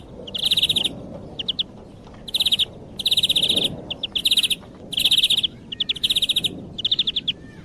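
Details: European greenfinch song played as a lure for hunting, made of short buzzy trilled phrases of rapid repeated notes, each about half a second to a second long, separated by brief gaps, with faint background hiss.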